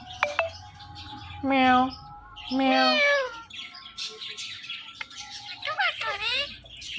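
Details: Indian ringneck parakeets, a male and female pair kept as pets, in morning calls and speech mimicry: two drawn-out harmonic meow-like calls, then harsh buzzy squawks and a short rising whistle over quiet room noise.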